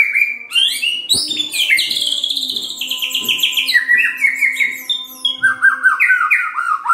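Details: White-rumped shama singing, meant to stimulate other shamas to sing: a fast, varied cascade of bright whistles and trills that slides gradually lower, finishing in repeated rising notes.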